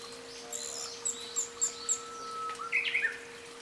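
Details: Japanese bush warbler singing at a hydrangea temple in Imayama, Omuta, Japan: a long faint steady whistle, then a quick loud flourish of rising and falling notes; high chirps from other birds and a steady electrical hum.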